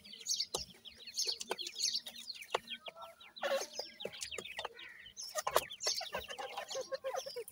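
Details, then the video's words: Francolin chicks, called irani teetar or Dakhni pheasant chicks, giving a dense stream of short, high, downward-sliding peeps, several overlapping at once. Occasional lower clucks and sharp clicks or knocks break in between. "irani teetar chicks ki best awaaz,Dakhni pheasant chicks"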